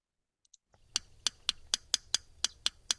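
Yellow Rail giving about nine dry, sharp ticks, evenly paced several per second, like two stones tapped together. Faint low room hum underneath.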